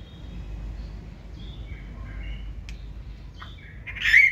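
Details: White-rumped shama, a caged bird from the 2024 season, in forest-voice song: soft sliding whistles and a sharp click, closing on one loud harsh note.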